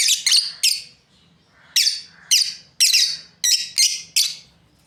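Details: A pair of breeding lovebirds chirps in shrill, raspy bursts, a quick triple at the start, a short lull, then a steady run of notes.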